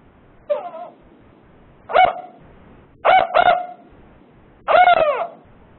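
A female Northern Spotted Owl gives her four-note location call: a single hoot, a quick pair, then a higher, drawn-out final hoot. Her notes are higher-pitched than the male's.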